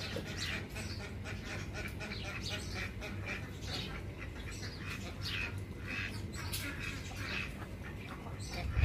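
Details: Several ducks give loud, rough quacks in irregular bursts, some calls stacked closely together, with a constant low droning hum underneath.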